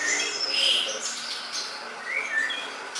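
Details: Greater green leafbird singing in a tutoring recording: a few clear whistled notes, one rising slur near the start and a falling one later, among softer chirps.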